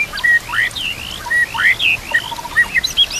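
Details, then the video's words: Song of a White-rumped shama, set against nature sounds and gently trickling water for training captive birds: rich looping whistles that swoop up and down, with short flat notes between the sweeping phrases. "murai batu gacor full isian"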